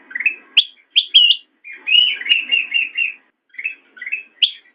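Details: Black-crested bulbul singing for cage-bird training: sharp upward chips alternate with a longer warbled, bubbling phrase, then short chirpy notes, in clean quiet surroundings.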